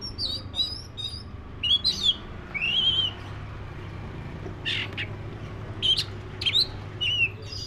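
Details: Oriental magpie-robin, black-breasted form, singing high chirps and a long warbled, wavering whistle, then clicking chips and short slurred whistles after a pause, over a low continuous hum.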